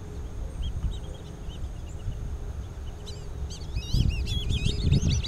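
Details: At Twin Lakes in Diamondhead, Mississippi, in 2017, black-bellied whistling ducks with juveniles: a few soft whistles, then a burst of loud, rapid, looping whistled notes from several birds over low rumbling noise.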